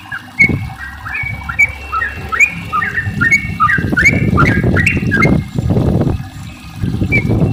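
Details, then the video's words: Sooty-headed bulbul in long, rapid song, used as a lure to set other bulbuls singing: a quick series of bright slurred whistles that fades under heavy low rumbling noise in the second half. "trucukan gacor ropel panjang buat pancingan trucuk agar bunyi"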